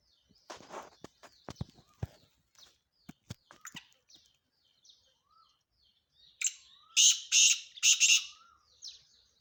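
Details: Male black francolin calling: after scattered soft chirps and clicks, a loud harsh grating phrase of four broad rasping bursts arrives in quick succession near the end, with faint small-bird twitters in the background.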